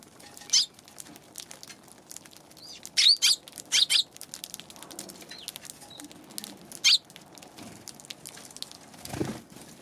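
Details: Eurasian tree sparrow on January 11: sharp, high chirps come singly or in quick pairs, separated by quiet gaps. Faint clicking and tapping continue underneath, and one low thud is heard near the end.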